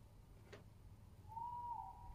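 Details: Tawny owl recorded 22 07 20 giving a single short, clear, steady tonal note after a brief click-like noise.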